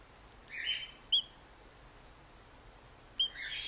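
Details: A 16-day-old male plover chick in wildlife rehabilitation care, now self-feeding, gives two short, sharp, high peeps about two seconds apart, with soft hissy rustling around them.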